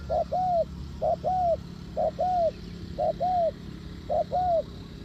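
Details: Spotted dove call used as a trapping lure: five regular two-part phrases, a brief coo then a drawn-out coo that rises slightly and falls away, repeated about once a second against a low background hum.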